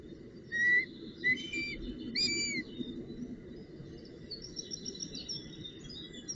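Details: Female northern goshawk at the nest with a branch and prey, 19 June 2018. Three clear drawn-out whistled notes follow one another in quick succession, then fainter chirping from other birds over a steady background rumble.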